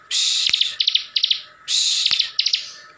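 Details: A bar-winged prinia (ciblek) from Slawi, Tegal, Central Java, in nonstop ngebren song that makes other ciblek answer. Two harsh buzzy bursts, each trailed by short clusters of three or four sharp high chips.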